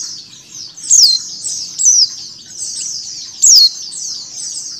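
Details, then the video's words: Female mountain white-eye calls combined with a calling flock to speed up beak-opening in white-eyes; dense, thin, downward-slurred chatter runs throughout, broken by three louder sharp descending notes. "PLECI BETINA ngecal + suara pleci ombyokan"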